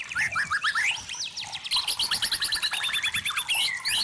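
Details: White-rumped shama from the forest, a natural wild recording: a dense, busy tangle of high whistles, rapid trills and chips, with phrases overlapping almost continuously throughout.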